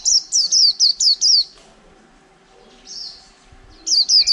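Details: Wild-caught white-eye singing in a cage after more than a month of captivity, in the líu style. Bursts of quick, piercing high chirps repeat rhythmically, broken by a short pause and a softer trill.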